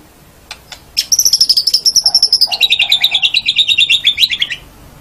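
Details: Murai batu, the white-rumped shama, singing as a training master for caged birds, morning or evening: a fast pulsing trill of high sharp notes that steps down in pitch midway, with a softer lower warble beneath.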